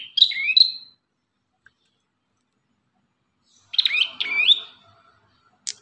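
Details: Ashy tailorbird song in master training material: a pair of bright, upward-sweeping whistled notes, a long quiet gap, then another cluster of hooked chirps and a final sharp note.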